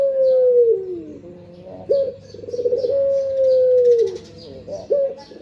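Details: Barbary dove kept as a pet, calling in the morning. Long smooth coos that sag slightly at the end, each opened by a short rolling burr, repeated about every two seconds. Faint high twittering of other small birds behind.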